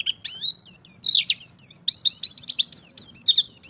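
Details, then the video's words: Champion pleci (white-eye) singing ngalas bongkar isian: a nonstop run of thin, high, down-slurred and rising whistles packed tightly together, with a faint low hum beneath. "Pleci Jawara - Ngalas Bongkar Isian"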